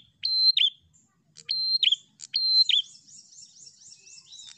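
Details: Prinias in a flock sing persistently to provoke a rival: three crisp click-whistle-drop phrases, then a run of thin, rapid high chips.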